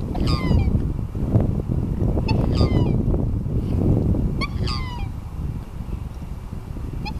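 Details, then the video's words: Black swan calls on the Rhine at the Swiss–German border: brief, nasal, harmonic bugle notes that fall slightly in pitch, heard in scattered pairs at about two-second intervals over loud, constant low rumbling water and wind. "Black Swan - Schwarzschwan - Cygnus atratus calling"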